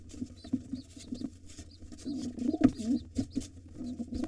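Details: A gray wild pigeon tries to seize a nest from the pair raising two nestlings while the white father fights back. Rapid, uneven low coos and throaty grunts mix with clicks, knocks and faint high peeps.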